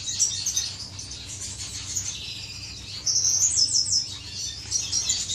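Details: Several finches in an aviary courting, with high, thin chirps and twittering trills that overlap; the chorus grows louder and denser from the third second, with quick repeated notes.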